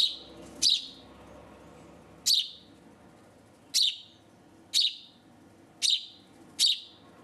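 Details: Hand-reared house sparrow, found on a street at about two to three days old and raised indoors; six loud, sharp, high chirps, unevenly spaced roughly every one to one and a half seconds, over a quiet background hum.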